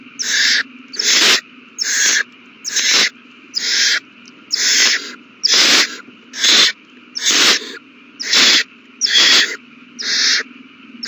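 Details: Hungry owl babies being fed, 27 March 2020, keep up a fast run of short, harsh hissing screeches, often in quick pairs, more than one per second.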